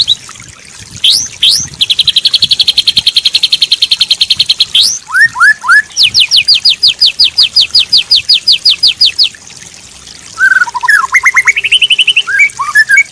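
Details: White-rumped shama song meant to train a stressed, non-singing bird: whistled upslurs, a long fast buzzing trill, three rising whistles, another rapid trill, then a chattering mix of quick whistled notes.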